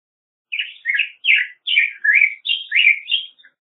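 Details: Black-headed grosbeak song, a flowing series of about eight sweet, slurred whistled phrases, each swooping up and down, delivered rapidly over three seconds against a quiet background.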